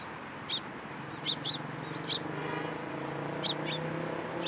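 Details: Several sparrows come onto a hand to be fed at a Tenmangu shrine, 14 April 2023. Scattered single high chirps, widely spaced, over a constant low droning background.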